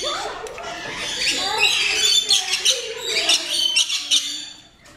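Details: Rainbow lorikeets being fed close up at Lorikeets Landing in West Midlands Safari Park, giving harsh, shrill screeches and scratchy chatter in quick bursts, with people's voices mixed in.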